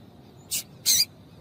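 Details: Two quick, high, harsh chips from a female double-collared seedeater calling to stimulate males, the second longer and fuller.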